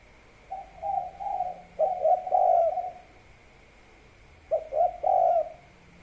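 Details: A spotted dove gives its three-note "kuk 3" cooing, two runs of three to four hollow coos separated by a pause, with a faint steady hum behind; a rice-field setting.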